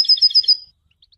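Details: A brief European goldfinch song fragment for education: about five quick, bright, evenly repeated high notes, then a few faint chirps.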